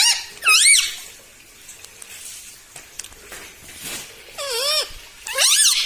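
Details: Talking pet parrot, said to say "mitthu mitthu" and "mummy"; harmonic, swooping voice-like calls at the start and end with a quiet, scratchy room in between.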